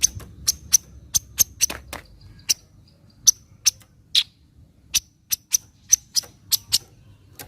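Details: Javan kingfisher making its 'nyecret' call, meant to coax reluctant kingfishers into calling: crisp, dry, ticking chips repeated steadily, roughly every quarter to half second, against a quiet low hum.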